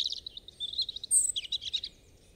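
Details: European robin song phrase: a dense, high, tinkling warble of quick notes running continuously for nearly two seconds, with one piercing very high note midway, over faint low background hiss.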